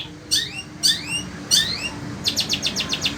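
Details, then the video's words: Long-tailed Shrike, sembur variety, a caged Indonesian songbird in fierce heat. It gives three bright rising slurred whistles about half a second apart, then a fast stuttering burst of short high chips. "Burung Cendet INI TETAP MELOCOR DOR"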